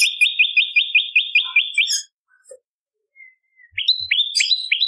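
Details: Bar-winged prinia in a song-tutor and lure recording for other songbirds gives a fast series of sharp, high, repeated chirps, about eight in two seconds, then a pause before another burst.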